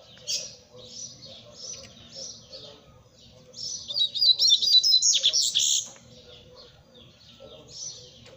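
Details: Double-collared seedeater singing: a loud burst of high, rapid, buzzy and whistled notes in the middle, with softer high chirps before and after and a faint low hum beneath.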